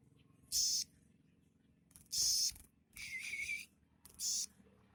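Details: Sogok ontong sunbird kept as a pet, its song mixing in mimicry of sparrows, prenjak lumut and cieng; four brief high-pitched chattering bursts spread over five seconds, one slightly lower and buzzier.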